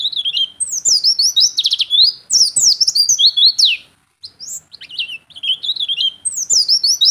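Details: Persistent vigorous ngeplong singing by an Oriental white-eye, dense high-pitched twittering with rapid trills and down-slurred whistles in long runs, broken by one brief pause near the middle.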